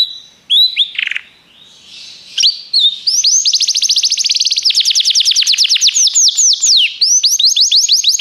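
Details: Belgian canary singing, used for training: a few clear whistles and a brief pause, then a long loud run of rapid, evenly spaced rising-falling whistled notes rolling into a continuous trill to the end.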